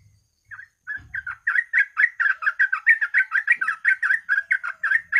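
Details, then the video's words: Yellow-vented bulbul in fast, continuous song played as a lure to prompt other bulbuls to sing: a dense, unbroken series of bubbly, warbling notes, about four per second, after a few soft opening notes. "TRUCUK GACOR,TRUCUK ROPEL,PANCINGAN BURUNG TRUCUK AGAR GACOR DORR"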